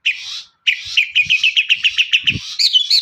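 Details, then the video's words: Long-tailed shrike lure song for prompting other birds: after a buzzy opening comes a fast even series of short chirped notes, about three to four per second, ending in higher whistles; soft low thumps. "pancingan burung cendet paling dicari"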